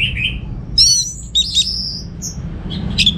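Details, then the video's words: Orange-headed thrush, a home-kept bird from Singaraja, Bali, gives a short, sparse phrase: a low whistle, a high sharp note, buzzy notes and a short high whistle over soft background hum. "Suara ANIS MERAH Berkicau"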